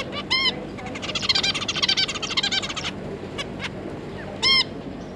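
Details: Zebra finch family, two adults with three juveniles, 9 June 2022: two loud, nasal, trumpet-like beeps bracketing a rapid stretch of buzzy chatter, with a few sharp clicks between.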